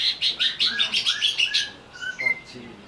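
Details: Greater green leafbird singing while agitated, as a lure to provoke other birds into song: a fast run of bright, chirpy, high notes slurring up and down, then a pause and a few scattered whistles.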